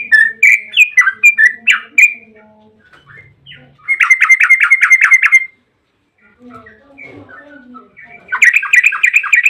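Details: Yellow-vented bulbul in a long rapid 'ropel' song used as a lure to make other bulbuls sing: bubbly chattering phrases, then a fast burst of about ten sharp repeated notes, then more lively warbling.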